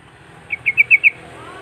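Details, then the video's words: Sooty-headed bulbul singing to call out rivals: a short phrase of five bright, evenly spaced chirping notes, growing louder, with soft traffic-like rumble behind. "Paud Trucuk Memangil Musuh Burung Bahan Jenis Apapun Pasti Nyaut"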